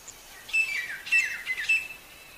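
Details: Three loud, grating partridge notes, each with a bright ringing whistle inside, sound from a wild bird in the jungle, said to be very healthy; quiet before and after.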